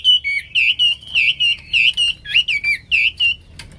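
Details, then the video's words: Wambi (Hwamei) singing gacor: evenly spaced loud whistled notes, each a quick bent upward and downward slide, about four per second, rich in overtones, before the song breaks off. "Wambi / Hwamei Gacor"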